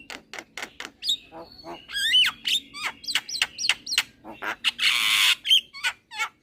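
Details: Young Javan myna singing nonstop with nodding head: a rapid string of clicks and short notes, wavy whistled phrases, a long harsh hissing rasp, then more quick clicks.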